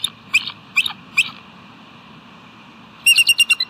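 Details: Bald eagle perched on the nest rock on an afternoon, July 17, 2018, calling out: a few short high chirps around half-second intervals, then a rapid run of sharp piping notes near the end.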